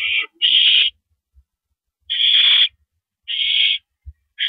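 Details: Owl at the nest on April 5, 2012, near 10:30 PM, with a mouse being delivered; long, harsh hissing screeches separated by silent gaps of up to a second, plus a few soft low bumps.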